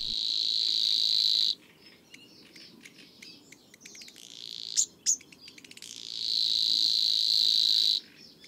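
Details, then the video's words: A Savi's Warbler, which lives near water and sings at dusk, gives a fast, dry, insect-like reel lasting over a second, then again after a gap filled with scattered clicks and ticks. "мы пожалуй отметим еще соловьиного сверчка поскольку он и живет и сверчит непременно рядом с водоемами [музыка] речной"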